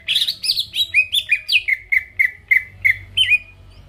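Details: Greater green leafbird song used to provoke rival birds: a steady string of about twelve short whistled notes, first wavering and higher, then settling into even falling whistles about three per second.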